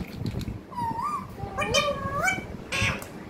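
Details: Pet parrot chattering: wavering harmonic voice-like syllables that rise and dip, ending in a short harsh squawky burst, with a faint low hum behind.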